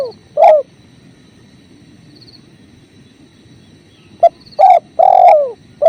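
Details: Spotted dove cooing, for bird training, set to clear river flow: a short low hooting note, then after a pause several rich descending coos with a hard stop, over a steady rushing-water hiss.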